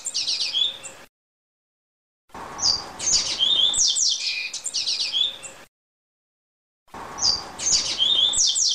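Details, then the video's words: Double-collared seedeater in canto grego, the Greek song style: dense bursts of bright whistled notes mixed with quick buzzy trills, each phrase about three seconds, separated by abrupt silent pauses and repeated three times. "COLEIRO CANTO GREGO"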